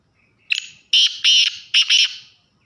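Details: Male black francolin giving its breeding call: a harsh, grating phrase of five loud, buzzy notes, one short lead note, then two longer paired strokes and two clipped final notes, over about one and a half seconds in an otherwise quiet setting.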